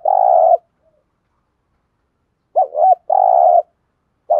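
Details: Spotted dove coo meant to make timid birds answer. A steady hum comes first, then a long pause, then a rising-falling double note and a sustained low coo, and the next phrase begins at the end.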